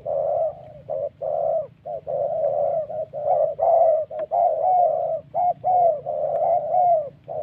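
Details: Spotted dove "thổ" cooing from Vietnam's Central Highlands forest, linked to decoy trapping: a steady, crowded series of hollow hooting notes, long phrases broken by short ones, continuing throughout.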